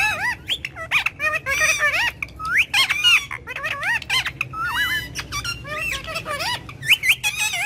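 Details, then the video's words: Speech-like chatter from a talking ringneck parrot in a courtyard, mimicking Urdu/Hindi while speaking with its owner: rapid wavy, squawky syllables and rising squeaks in quick bursts over faint low rumble. "Ringneck Parrot Talking In The Courtyard"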